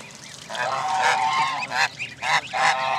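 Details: At Jess Ranch Lakes Park, May 23, 2014, where Canada goose families gathered with goslings, a long grating honk is followed by three shorter honks, faint peeps in the background.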